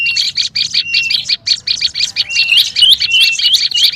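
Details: Noisy lure calling of olive-backed tailorbird: fast, harsh, buzzy notes of roughly three a second, with clear level whistles and a few rising slurred whistles near the end.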